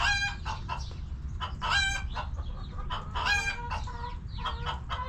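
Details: Back yard chickens relaxing in their coop, with hens clucking and a rooster said to crow: a run of short, bright, nasal clucks and squawks, several birds overlapping at irregular intervals, over a steady low rumble.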